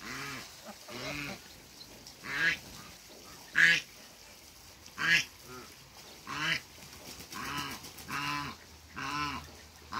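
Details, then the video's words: African goose couple met on a waterbird farm, giving loud nasal honks, single or doubled, roughly every one to two seconds. "MEETING COUPLE AFRICAN GEESE"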